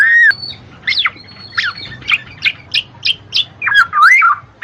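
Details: Black-naped oriole used to prompt lazy birds to sing: a clear opening whistle, a thin high note, a regular series of short sharp notes, then looping, warbled fluty whistles.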